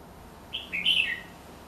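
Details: Red-whiskered bulbul, a caged bird kept around the house, giving a short bright phrase of three or four quick liquid whistled notes that rise and then drop, lasting about half a second. Steady low hum underneath.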